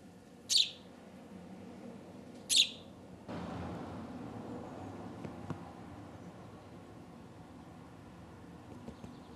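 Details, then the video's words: Young house sparrow raised by hand after being found on a street at roughly two to three days old. Two brief, sharp high chirps about two seconds apart, followed by a rustling, noisy stretch and a low background hum. "Sperling / Spatz aus Handaufzucht / Hand reared Sparrow"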